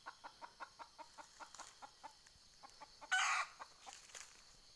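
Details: Junglefowl hen kept as a decoy to attract wild birds, 20 April 2020: regular clipped clucks repeated rapidly, fading midway, then a short loud rasping burst and a few more scattered notes.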